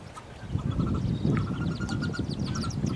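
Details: Recently hatched wood duck nestlings in a nest box with one hooded merganser chick, 2013 season; quick thin peeps in uneven runs over dense low scratching noise.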